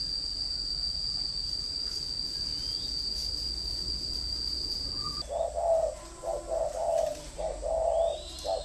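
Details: Decoy spotted dove at a bird farm in Ba Vì, Hanoi, Vietnam: five seconds of only a steady high whine, then three soft coo phrases in quick succession as the bird starts its thổ or còi call.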